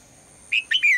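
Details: Morning call of a female red-whiskered bulbul, used to get the male singing: a brief phrase of three clear whistles ending in a drawn-out downslur, after a short quiet gap.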